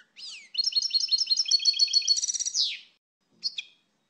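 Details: European goldfinch delivering a quick series of high, evenly repeated tinkling notes that speed into a trilled buzzy flourish and fall away, followed after a pause by a short two-note call.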